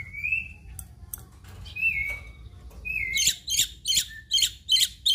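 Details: Black-winged myna of Indonesia singing gacor full isian: thin level whistles at first, then a rapid series of harsh, scratchy notes repeated roughly every third of a second.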